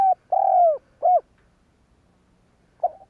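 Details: Low, hollow cooing from a spotted dove used to goad other doves into calling, with a short note, a long falling coo and a clipped note, then silence before the next phrase starts.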